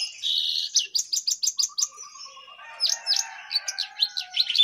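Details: Jongkangan singing energetically while perched on top of its cage: a fast run of repeated high chirps, then a low rapid trill and varied sharp whistled notes sliding downward, tumbling into a busy, chattering phrase.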